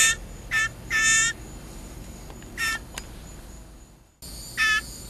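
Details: Hand-fed captive blue jay begging for food, shrieking when hungry: a series of harsh, raspy shrieks, some short and some longer, spaced irregularly over five seconds, with a man's coaxing voice nearby.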